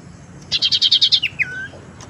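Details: Tailorbird lure sound, used for attracting birds and reviving birds that have stopped singing: a quick string of about nine loud, high, evenly spaced chips, then a falling slurred whistle.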